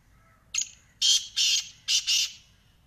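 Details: Black francolin (kala teetar) call: a short sharp opening note, then two pairs of loud, harsh, scratchy grating notes, the whole phrase lasting about one and a half seconds over quiet background.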